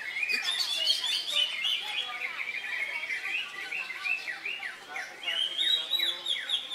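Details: Greater Green Leafbird, just out of its moult, singing at a songbird contest in Indonesia on a Saturday, 3 September, where it won twice; dense run of fast whistled and chattering notes with rising and falling slurs, a faint voice underneath.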